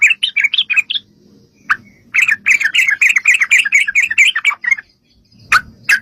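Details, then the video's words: Yellow-vented bulbul singing a long 'ropel' lure to make other bulbuls answer. Bubbly, warbling notes rise and fall in a fast, dense run lasting about three seconds, then a pause and two sharp single notes. "trucukan gacor TARUNG ROPEL PANJANG pancingan trucukan agar bunyi jadikan burung trucuk gacor NYAUT"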